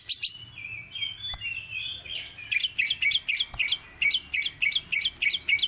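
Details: Rosy-faced lovebird (Agapornis roseicollis) chicks in a nest box being fed by a parent give rapid, raspy, insistent high chittering calls, about three per second, after a few thinner whistled notes.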